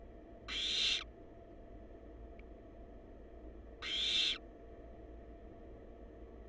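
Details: Young wild barn owls at the nest, filmed by a nest-box cam: two loud harsh hisses spaced about three seconds apart, separated by quiet, with a faint tick and a low hum behind.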